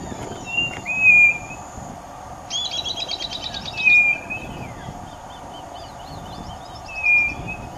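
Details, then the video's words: White-bellied nothura calling unseen beside a roadside while another walks on the road: clear, high whistled notes about every three seconds, with a buzzy chattering burst from another bird breaking in between. "Codorna-do-Nordeste e seu Canto Encantador"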